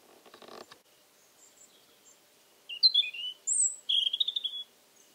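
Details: European Robin, mid-October 2014 evening, old Alentejo house among cork oaks: a soft rustle, then silence, then a crisp phrase of high thin notes ending in a fast, buzzy trill.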